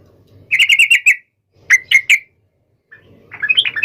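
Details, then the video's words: Yellow-vented bulbul singing to challenge a rival and prompt other bulbuls to answer at once; a quick run of five chirpy notes, then three sharper notes, then a softer rising chatter, with a quiet low hum underneath. "SUARA trucukan gacor MEMANGGIL LAWAN"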